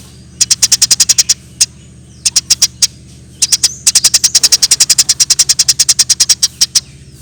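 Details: Eurasian tree sparrow in gacor form, used as training material for songbirds: long, rapid trains of sharp high chirps, about three per second, broken by brief gaps, with a low background hum.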